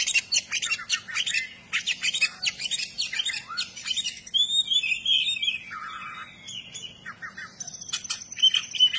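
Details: Kacer (Oriental magpie-robin) in full song with tail open, delivering a fast jumble of sharp chips and buzzy bursts followed by sweeping whistled slurs and warbles.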